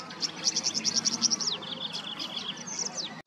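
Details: Queensland tawny grassbird delivering a fast string of sharp, high chips that ends in a falling slur, then a prolonged level reel, closed by another downward-swept note; soft ambient hiss.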